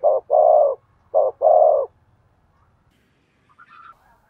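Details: Spotted dove stimulating-call cooing: two short-then-long pairs of low, mellow coos, then silence, with a faint higher chirp near the end.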